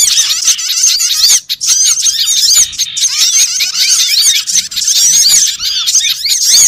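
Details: Small birds heard on a trapping lure track: continuous high-pitched twittering and squeaky chips crowded together, with a few short gaps amid the steady bright chatter.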